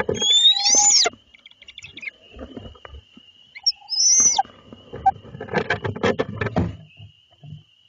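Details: A barred owl pair with three owlets at night in Lebanon, Connecticut, as the male delivers small mammals to his mate: two loud, rising squealed calls, then rustling and scuffling, with a thin steady whine behind.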